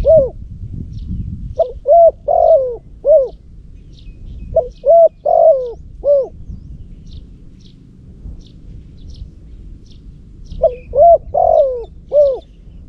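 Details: Decoy spotted dove from Cambodia, used to lure other doves and known for its loud voice, gives three phrases of about five hooting coos each, separated by pauses of several seconds, with faint high chirps behind.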